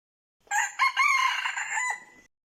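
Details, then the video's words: Red junglefowl decoy cock used for trapping gives a single loud, clear crow of about 1.8 seconds: a short opening note, then a long harsh, buzzy middle that ends in a slightly falling tail. Quiet background. "เสืยงไก่ต่อ ดังคมชัด"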